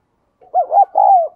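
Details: Spotted dove kept as a lure bird, cooing and calling to draw in wild doves: one short phrase of three mellow, hooting coos, the last drawn out and falling.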